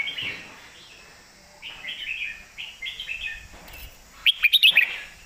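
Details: Caged red-whiskered bulbul bred for singing contests performs its thick-toned master song: several short warbled, slurred whistle phrases, then a burst of rapid metallic clicks near the end.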